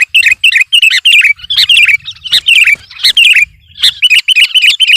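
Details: Loud gacor song of a sooty-headed bulbul meant to intimidate rivals: steady strings of bright, slurred whistled notes, grouped in quick runs with short gaps.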